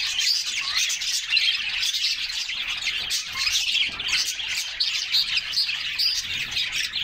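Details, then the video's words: Several canaries bathing in summer, singing and chirping together in a steady stream of bright, high twitters and short warbled phrases that overlap without a break. "Summer Serenade: Canaries Singing and Splashing in a Refreshing Bath"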